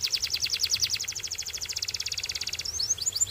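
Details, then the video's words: Belgian singing canary song: a fast, steady trill of bright, high notes repeated about three times a second, ending in a few sharper rising chirps. "A Special Canary to Seduce All The Canaries - The Belgian Singing Canary"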